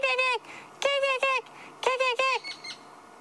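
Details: White-crowned Shrike alarm calling from lead trees at sunset on 29 February 2016 in Sabi Sand, alerting to a hunting Tawny Eagle nearby: four nasal, squawking, harsh downslurred chatters about a second apart, over light hiss.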